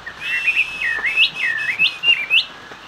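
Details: Hót xòe song of a Chinese hwamei: clear looping whistles that swoop down and back up, broken by short sharp upward notes about every half second, with a faint background hiss.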